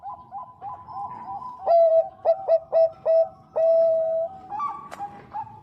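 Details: Bangkok-type zebra dove, female calling the male: soft coos, then five loud, pure, evenly spaced notes and a long sustained coo, ending with quieter rising notes.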